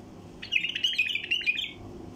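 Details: Lure recording of a wild bulbul to attract flocks: a hurried, twittering phrase of sharp bright notes lasting roughly one and a quarter seconds, over a faint low hum.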